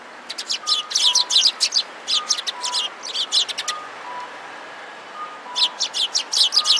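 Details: Sparrows crowding at food and fighting, recorded 25 February 2017: rapid volleys of high, sharp chirps in dense bursts, pausing briefly before starting again, over a faint repeating two-tone chime.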